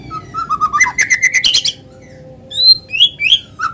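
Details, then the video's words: Lure song of a white-rumped shama, natural voice meant to make other shamas sing: a fast chattering run of short repeated notes, a pause, then bright rising whistles sliding downward. "PANCINGAN BURUNG MURAI GACOR SUARA ALAMI BIKIN MURAI BATU IKUT BUNYI"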